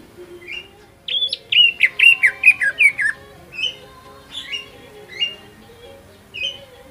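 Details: Greater green leafbird lure song to make rival leafbirds sing: a tight descending run of clear whistled notes, followed by spaced single whistles every second or so, against a faint low hum.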